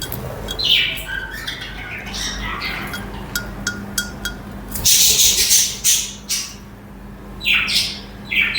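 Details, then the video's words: Several budgerigars (parakeets) chirp and chatter: short bright high chirps and squawks scattered irregularly, thickening into a dense, noisy burst of overlapping chatter midway and again near the end, over a faint steady low hum. "Chirping Budgies in Action"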